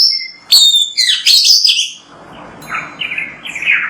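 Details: Oriental magpie-robin song for prompting other magpie-robins to sing: a loud cluster of piercing high notes and chips, then quieter, lower warbling phrases fading behind a soft background hiss.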